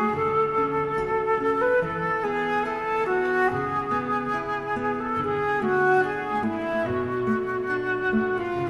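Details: A flute plays a steady melody of held and stepping notes over soft accompaniment, with no animal heard.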